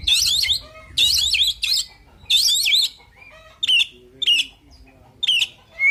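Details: Fighting song of an oriental magpie-robin: loud, scratchy, warbling bursts alternating with short, sharp, downslurred whistles, delivered at an uneven pace with brief quiet gaps between phrases.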